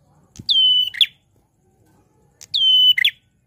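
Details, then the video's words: Loud, chatty prinia singing: a clear whistled note that drops from high to a steady tone for about half a second, then ends in a short harsh burst; the phrase is given twice, two seconds apart, with faint background sound. "Suara Prenjak Klawu Gacor Lantang"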